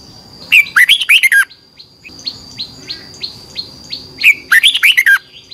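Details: Red-whiskered bulbul singing in competition style for bird training: two bursts of rapid twisting whistled notes framing a series of softer, evenly spaced short chirps, over a steady high-pitched hum.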